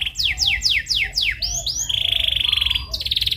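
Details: Canary singing rolling lure song meant to make another canary sing: five sharp descending whistled sweeps, two upslurred notes, then a steady high rapid trill and a brighter buzzy trill.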